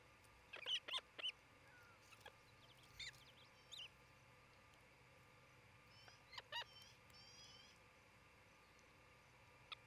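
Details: Osprey at its nest in Charlo, Montana, picked up by a nest camera near midday on 27 June 2018: a few scattered high, thin chirps with faint harmonics, separated by long quiet gaps over a steady background hiss.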